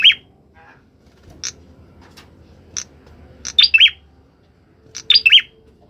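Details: Orange-headed thrush singing actively: a lone high note, a few isolated sharp chips, then clusters of quick, bright two- and three-note slurred phrases, each cluster a little over a second apart, over a quiet low hum.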